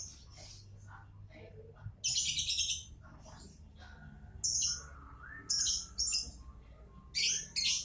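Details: A lovebird repeats harsh, piercing screeches in bursts about every one to two seconds, mixed with softer chirps and a short whistled slurred note near the middle; a faint low hum runs underneath.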